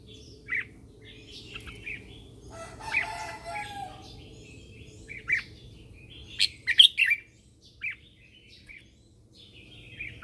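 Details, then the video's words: Red-whiskered bulbul singing in the morning as a lure bird to call wild birds: short warbled chirps throughout, a rushing burst of noise early on, and a cluster of loud, rapid notes later, over a low hum. "Luyện giọng cho chào mào hót sáng căng lửa kích chim mộc hót siêu hay, Chào mào mồi hót gọi bổi"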